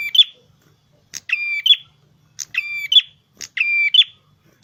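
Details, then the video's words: Prenjak kepala merah, a red-headed prinia, in energetic gacor song: a sharp high tick followed by a rich nasal buzzing note ending in a bright chirp, the phrase recurring every second or so against a silent background. "Burung prenjak kepala merah gacor"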